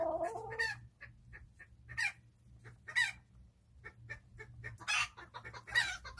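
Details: Chickens enjoying a quiet day, with a short low purring call at the start, then scattered single clucks and occasional louder squawks spaced a second or so apart over a faint background hum.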